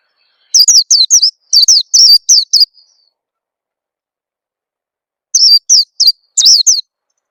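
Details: Oriental white-eye calls used as a lure to make newly caught birds start singing: sharp, high, downslurred chirps grouped in fast clusters, then a pause of about two seconds before another quick cluster; clean, with no background noise.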